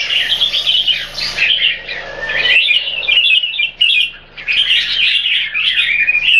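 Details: Singapore-kept red-whiskered bulbuls, two birds set against each other, pour out quick chirping, slurred warbles and squeaky notes with short gaps, the phrases tumbling almost without pause.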